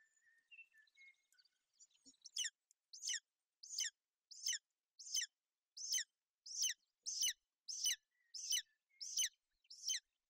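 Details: Golden eagles in Bucovina, a female sheltering her chick on the nest in inclement weather, 28 May 2021; after some soft scattered peeps, a steady run of shrill descending chirps starts and repeats rhythmically.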